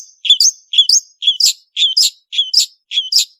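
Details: {'text': 'Long-tailed shrike, locally called cendet, singing energetically: a two-part whistled phrase, a low note then a higher sweeping note, repeated about every half second, six times, in clean quiet surroundings.'}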